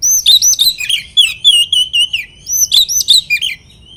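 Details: Oriental magpie-robin song meant to rile up rival birds: a rapid, continuous run of varied whistled phrases with swooping, rising and falling notes, loud and rich, over a faint low hum.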